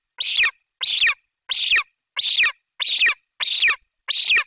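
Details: Young golden eagle in Bucovina screaming loudly at its nest as the mother arrives with magpie prey; seven harsh, high, downward-sliding screams, evenly spaced about two-thirds of a second apart, nothing else audible.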